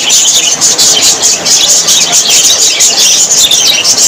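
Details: Cheerful budgerigar flock chattering: rapid overlapping squeaks, chirps and short warbled phrases, high-pitched and unbroken from start to end.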